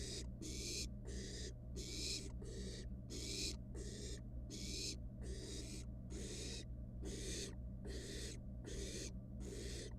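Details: Wild barn owl nestling in a research nest box, playing with its food, producing a long train of snoring, breathy hisses about every three quarters of a second over constant low hum.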